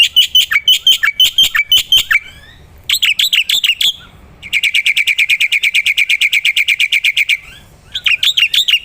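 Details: Black-winged myna singing loudly as a training recording for other songbirds: clipped whistled notes repeated rapidly, a short pause, then a long steady run of bright chirps about three per second, ending in more whistled phrases.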